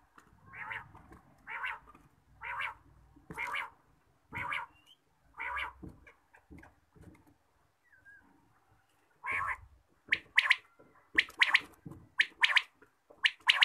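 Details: A quail calling in the morning: a run of short, rough, evenly spaced bursts about once a second, then a quicker series of sharper, higher notes with brief pauses between them.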